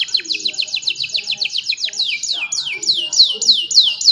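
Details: Young canary song meant to train lazy canaries, cellphone recording: rapid repeated falling whistled notes in a steady train, changing to slower, longer downward sweeps spaced about a third of a second apart.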